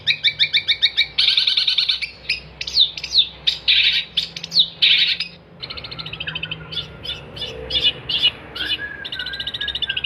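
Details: Long-tailed shrike singing vigorously, recorded as tutor material for songbird training: rapid stuttered note trains give way to sweeping whistled slurs and harsh bursts, then a softer run of quick twittering notes, loud and varied throughout.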